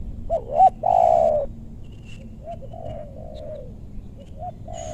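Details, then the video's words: Spotted dove used to lure wild doves in a meranti forest in west Bogor, Indonesia: one loud, low, hollow coo phrase with a short doubled note then a long falling coo, followed by softer distant answering coos. "Pikat tekukur ajaran si bucil paksa turun bl suara besar"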